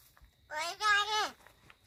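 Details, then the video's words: Crow from Gargaon in Palghar mimicking human speech, giving a single nasal, harmonic-laden syllable of about eight tenths of a second, level in pitch before sliding down at its close, with faint background clicks. "गारगाव बोलका कावळा"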